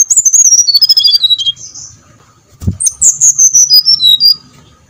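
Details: Brown-chested jungle flycatcher singing as a lure to set other birds singing: two runs of rapid, clear whistles each stepping down the scale, with a soft thump between them.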